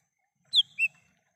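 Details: Wild lesser green leafbird, recorded as a lure for calling birds: a high, piercing downslurred whistle followed by a lower, clear slurred note, then silence.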